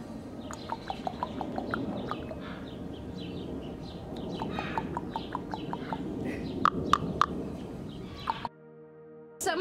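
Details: Odin, a 10-year-old female common raven, a zoo ambassador kept because of a wing injury, sits on a keeper's arm and gives a common call: a fast run of dry, knocking clicks, three or four a second, over a hum, then a short musical tone.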